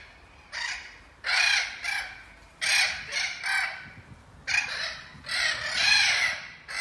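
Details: Group of captive Spix's macaws in a large flocking aviary, chosen for return to Brazil: clusters of rough, scratchy screeches, two or three in quick succession, then a short pause before the next cluster.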